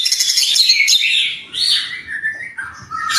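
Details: Captive white-rumped shama song used for training other birds: dense, rich high-pitched warbling and chirps with rapid shifting phrases, dropping into lower whistled notes near the end.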